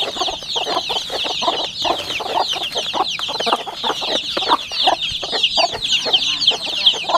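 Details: Home-raised chicks 40 days old, many peeping together in a constant overlapping chorus of high chirps, with lower rhythmic clucks and rustling throughout.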